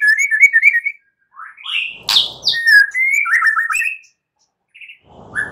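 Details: White-rumped shama night song meant to stimulate singing: whistled phrases broken by a sharp loud burst, then rapid descending trills and short chips, with faint low background noise.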